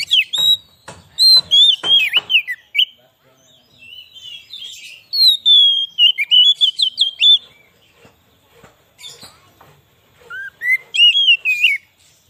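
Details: White-rumped shama song meant to lure wild birds and rouse a shama: sharp clicks and whistled warbles in bursts, quiet gaps between, a long wavering phrase near the middle, a rising flourish at the end.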